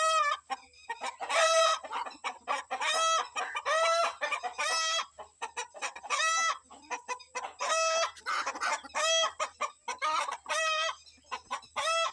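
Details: Morning rooster released with his hens to forage, agitated by birds of prey overhead and warning the family; repeated loud harmonic squawks alternating with quick clucking, roughly forty calls a minute.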